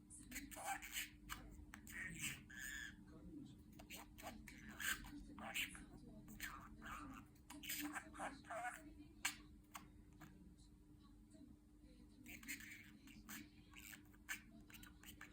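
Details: A budgerigar talks in its sleep, muttering soft, speech-like chatter and chirps over a steady indoor hum.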